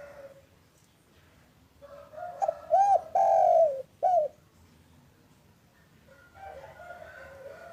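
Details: Local spotted dove calling in the afternoon as a lure to start other doves calling. Soft lead-in notes rise into an arched coo, a long sliding coo and a closing arched note. Quieter cooing and faint chirps follow.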